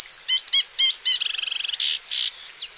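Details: Paddyfield warbler singing a varied phrase: clear whistled notes and chirps, then a fast buzzy trill of evenly spaced pulses, ending in harsher scratchy notes.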